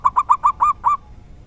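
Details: Rare 'dor tak kowor kowor' song of a local zebra dove: six hoarse, clipped coos in quick succession, the last two longer and more drawn out, then quiet.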